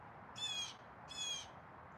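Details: Outdoor blue jay giving its super loud call: two raspy, screeching 'jay' notes about half a second apart, each lasting roughly a third of a second, against soft background noise.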